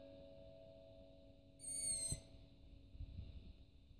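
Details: Hungry long-eared owl young on a rooftop around 23:30 at night, calling for food, phone recording: one thin, scratchy, high squeak under half a second long, over a steady low humming tone and soft background noise.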